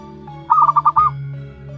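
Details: Single phrase from a one-month-old local wild zebra dove: four rapid pulsing notes run into a final hooked coo, set against a steady background hum.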